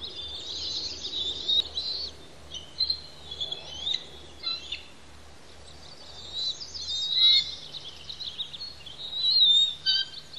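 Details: Two young bald eagle chicks calling noisily while being fed by both parents on a nest at Pelican Harbor, Santa Cruz Island; high, thin squealing chitters in short irregular bursts, with quieter gaps and a low steady hum beneath.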